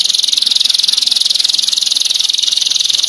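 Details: Dense, sharp canary master song for training other birds: a continuous fast buzzy roll of high pulses, very regular throughout.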